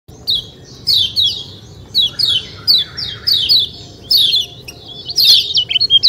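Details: Lemon-bellied white-eye (kecial kuning) in "ciak ciak" style, a busy run of high, thin chirps and quick sliding twitters in short bursts, with brief pauses, in a quiet setting.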